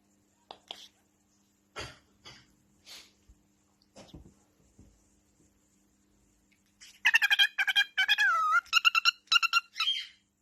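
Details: Pet male cockatiel singing in response to his owner's kisses: soft kissing smacks, then a quick run of bright, warbling whistled notes.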